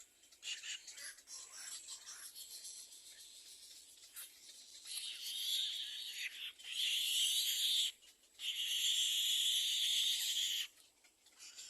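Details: Little egret chick in a second nest crying for food from its parents: soft scratchy noises at first, then two strong, sustained, harsh hissing rasps, each lasting about two to three seconds.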